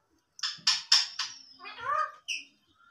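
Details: Indian ringneck parakeet, a talking parrot, utters four sharp, buzzy staccato syllables followed by a lower, drawn-out speech-like phrase and a brief bright final note.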